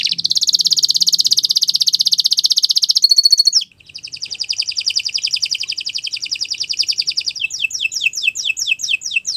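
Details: Canary song used to tutor other birds; an extremely rapid high trill, brief pause, then a softer rolling trill shifting into quick falling whistled notes.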